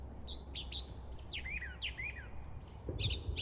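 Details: A brown thrasher sings quick, varied phrases of bright chirps and sharp down-slurred whistles, over steady low rumbling from distant gunfire at Fort Gordon and a dull thump near the end.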